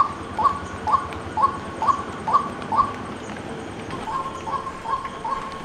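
A White-breasted waterhen gives a steady series of short, mid-pitched 'kook' notes, about two per second, with a brief pause midway, over a faint hiss.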